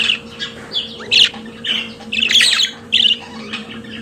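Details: Pet budgerigars giving loud buzzy squawks and short chirps in a few irregular bursts, with a steady low hum underneath.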